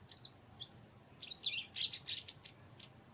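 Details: White wagtails in a garden in autumn amid intensifying territorial fights: thin, high chirps and twittering notes, scattered and irregular, against a faint background hum.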